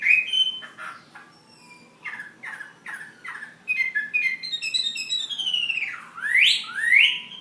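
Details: Ha Giang fighting hwamei opening with a sweet whistle, then a run of short, dry repeated notes, then a quick warbled passage. It finishes with two loud, sweeping upward-slurred whistles.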